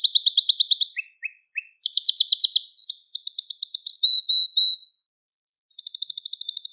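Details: Gloster canary song played to rouse other canaries and teach young birds: rapid buzzy trills, short whistled notes and sharp chips, then a pause before another fast rolling trill.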